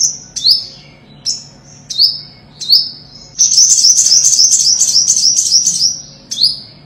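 Olive-backed sunbird giving high, thin descending chips repeated about once a second, then a fast run of sharp twittering notes, then a final chip.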